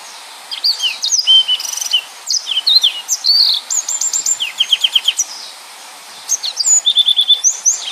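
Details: Dense rapid 'nembak' song of a yellow-fronted canary, used to tutor other songbirds: tumbling buzzy trills, a series of down-slurred whistles around four seconds, a brief pause, then a final trilling phrase.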